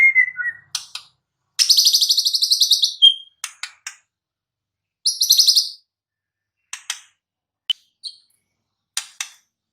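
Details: White-rumped shama in the wild: a brief falling whistle, then a long harsh rattling trill, sharp ticks, a second buzzy rattle, and scattered dry clicking notes separated by short silences.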